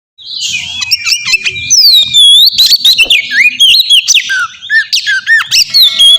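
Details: Oriental magpie-robin song used as a lure to provoke a reply from another bird: loud, varied whistled phrases with sweeping slurs, buzzy notes and quick chirps, delivered in a dense, continuous stream.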